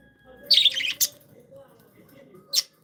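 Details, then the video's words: Happy pet budgerigars chattering: a warbled, buzzy burst of chirps followed by two brief sharp clicks, over a faint steady hum. "Happy budgies sound"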